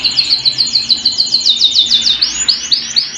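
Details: Canary singing at home: a fast, even trill of sharp high chirps, about three to four notes a second, then slower rising swept notes near the end.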